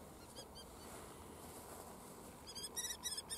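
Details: Two female Common Kestrels fighting in the wild near Den Helder, Netherlands, at the Noordduinen; a couple of faint high notes early, then a loud burst of rapid, shrill repeated calls near the end, over background hiss.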